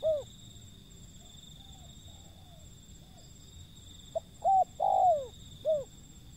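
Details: Wild zebra dove calling: a short curved coo, a pause with faint soft notes, then a burst of clear hooting coos, one long and sliding downward, ending with another short curved note. Steady background hiss throughout.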